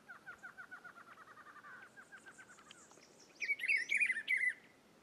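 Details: Rufous-browed peppershrike singing in Rio Grande do Norte, Brazil; a run of rapid repeated chips leads into a loud, fluid warbled phrase of several rolling notes lasting about a second.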